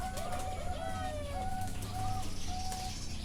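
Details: Zebra doves singing at a bird farm in Chana, Thailand: short, clear, slightly rising coo notes follow one another over a low mechanical hum, with scattered clicks.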